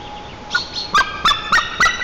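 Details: Wild male White-tailed eagle at a nest camera in Nizhnyaya Kama National Park, Tatarstan, 10 April 2024, alarmed and calling as he flies off toward the river: loud yelping notes repeated about every quarter second, rich and harsh.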